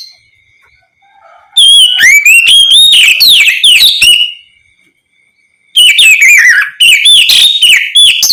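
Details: Oriental magpie-robin in loud ngeplong style, sung as a lure so other magpie-robins answer: a long run of quick slurred whistles and chips for about three seconds, a pause, then another energetic burst.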